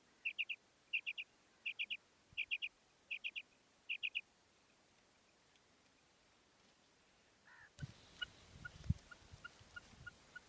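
A female common quail gives short, high clusters of three or four quick notes, repeated about every 0.8 seconds. A patch of hiss and faint ticking follows after a pause.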